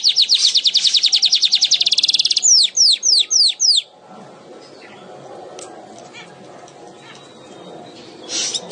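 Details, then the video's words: Weaver singing vigorously, kept as a songbird: a fast, buzzy, high-pitched rattle of about twenty even notes, then five or six sharp descending slurred notes, ending in near silence with faint scattered chirps. "Burung Manyar gacor"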